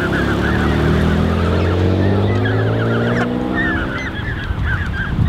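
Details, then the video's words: A flock of Canada goose goslings, over 30 in one creche watched by a pair of adults on 13 June 2015, gives dense, quick, chattering peeps. A loud low engine drone rises and fades beneath them. "Peeping Canada Goose Creche (An Army of 30+ Goslings)"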